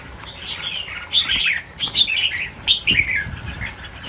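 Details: Red-whiskered bulbuls during a release of a thousand birds for the new year: a series of short, bright, warbled phrases, rising and falling, repeated about every half second, with flapping wings and faint background rustling.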